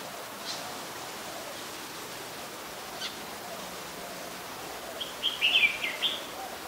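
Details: Adult Red-whiskered Bulbul recorded at Ubon Ratchathani, Thailand, on 31 December 2020: after several quiet seconds with faint ticks, one short, bright, warbled phrase of quick chirpy notes, over a steady soft background hiss.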